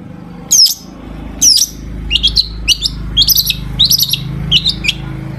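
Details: Long-tailed shrike singing a full mimicry-filled song, used to provoke other shrikes into singing; two sharp high downslurred notes, then a rapid run of short, bright chattering bursts, loud and close, with a low hum underneath.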